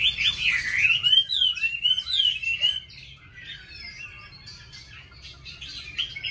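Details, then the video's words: Oriental magpie-robin singing in a contest against bulbuls, laughingthrushes and doves in Hanoi: loud slurred whistled phrases sweeping up and down for about three seconds, then fainter busy chirping from other birds over a low steady hum. "Mi Chòe hót đấu cùng chào mào, khướu , cu gáy"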